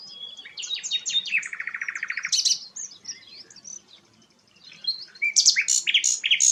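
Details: Rare flycatcher named sikatan londo singing rapid high chips leading into a long buzzy trill, a pause, then another loud burst of sharp, varied notes.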